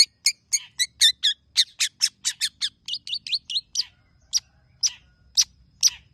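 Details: Long-tailed shrike, tame captive bird singing mimicked phrases to prompt other birds: rapid series of sharp high notes and short looping whistles, slowing into single loud chips about every half second.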